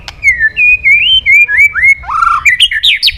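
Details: White-rumped shama in full song, calling a rival: a lively string of clear whistled phrases, some slurred downward, some rising, ending in higher, rapid, varied notes over about three seconds.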